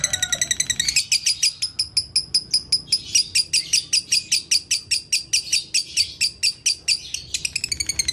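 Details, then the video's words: Lovebird singing hard in the konslet style as a training master for other lovebirds: a long, nearly unbroken chain of high, piercing chirps, quickening at the start and end. "LOVE BIRD GACOR ( KONSLET )"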